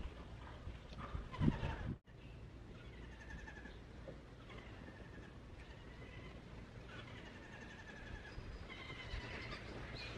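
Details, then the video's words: A fledged White-throated babbler chick begging its mother for food gives repeated nasal, slightly buzzy begging calls, each a short level or rising note, over a steady low rumble. "White-Throated Babbler Chick Still Begging for Food from Its Mother"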